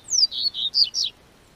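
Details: Double-collared seedeater in southern Brazil, singing as the weather warms in spring: a brief burst of four high whistled notes, the first a long downward slide, the rest short and slurred.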